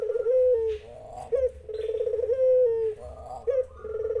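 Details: A spotted dove gives loud, purring rolled coos, each ending in a downward slur and followed by a short rising note. Zebra doves answer, and faint high chirps from other birds are heard.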